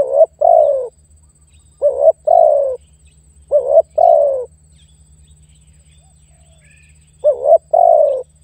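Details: Spotted dove calling to lure and challenge a rival: four phrases of a clipped double note and a drawn-out falling coo, with a brief gap near the end, a faint higher chirp and a steady low hum.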